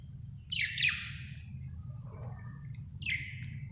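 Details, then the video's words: Happy budgerigar giving two quick descending buzzy chirps, a soft murmur, then one more falling chirp, over a faint low room hum. "happy budgie chirping sound"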